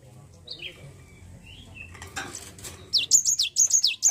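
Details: Java sparrow lure to get a lazy bird singing. A few soft slurred notes and a brief clatter come first, then a fast run of loud, high, downward-sweeping chirps.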